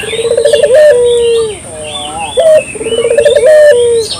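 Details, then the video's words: Two cooing phrases from a local dove used as lure sound, each a stuttering rolled trill that stretches into a long level note, while thin whistles and chirps of other birds sound above. "suara burung puter lokal jernih"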